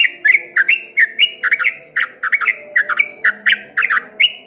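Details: Streak-eared bulbul delivering ropel ngombak banyu song, a loud continuous cascade of bubbly whistled notes with crisp clicks, about four per second, rolling like waves.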